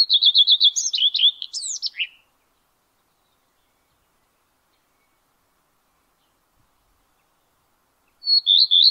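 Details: A singing male Common Redstart atop a spruce, May 2022. A rapid series of about six identical whistled notes turns into a twisting, squeaky flourish. After a long silence, the next phrase starts with similar repeated notes.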